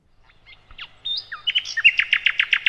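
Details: Sikatan londo flycatcher singing for cage-bird training: quiet scattered notes build into loud whistled slurs and a steady series of strong repeated chirps.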